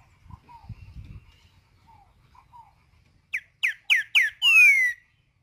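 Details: Green-winged saltator in nature performing the "tempera viola" song type. Soft low chirps come first, then four rapid, sharp, evenly spaced notes, ending in one long, loud, harmonic-rich whistle that slides downward.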